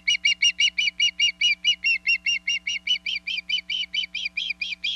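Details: Female osprey at a Hog Island nest on 27 April 2022, calling to her mate, who answers by bringing a large chunk of fish. She gives a steady run of clear, high, whistled chirps, about two or three every second, with no pauses.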